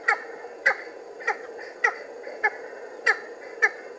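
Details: Cheer pheasant calling while coming out of cover: sharp, croaking single notes repeated roughly every half second over a low background hum.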